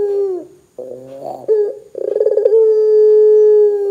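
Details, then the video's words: Barbary dove giving a loud coo meant to prompt other doves to call. A falling opening note leads into a quick rolling burst of pulses, then a drawn-out level low hum in a quiet background. "suara PUTER gacor Bikin PUTER Lain dengar cepat IKUT BUNYI"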